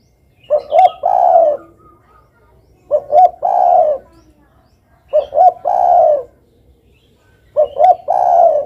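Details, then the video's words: Repeated song of a spotted dove singing persistently: four phrases, each two short hoots then a prolonged burry coo, arriving about every two and a half seconds with faint background murmur. "suara burung derkuku"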